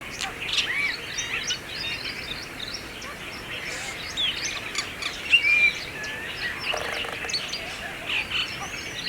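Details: Brahminy starling (myna) singing in India, around Aurangabad: a string of short whistled and chirping notes, some rising or falling, scattered through steady outdoor background noise.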